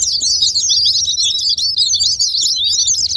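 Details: White-eye song used as a lure to provoke quiet caged white-eyes into singing: a dense, continuous stream of high, rapid twittering chirps and slurred squeaky notes with no pauses.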